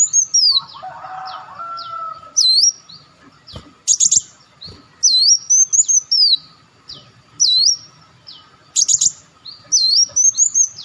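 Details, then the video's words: Olive-backed sunbird lure recording: repeated high swooping whistles and clusters of sharp, piercing chirps, opening with a brief lower buzzy note, all over a steady faint hum. "audio pancingan burung madu Wulung/Muncang"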